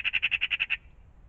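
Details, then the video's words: Magpie calling in the morning around a pond: one fast, harsh, rasping rattle of about eight evenly spaced notes lasting under a second, then quiet background. "Magpies in the morning"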